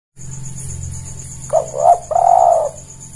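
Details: Javan turtle dove lure call for catching: a soft cooing phrase of two short notes and a longer drawn-out coo, over a low steady hum and faint high-pitched electronic whine.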